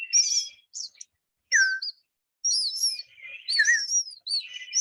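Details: Eastern Bluebird nestlings give thin, high begging chirps in quick bursts, mouths popping open in an innate response to a person's slurred, mid-high whistles imitating their mother.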